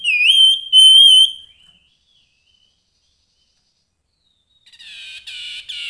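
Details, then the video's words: Grey-headed babbler in full, lively song: a clear whistled note that dips, rises and then holds level, followed after a pause by a burst of harsh, buzzy chattering notes. "Kicau Burung Tepus Kepala Kelabu Gacor"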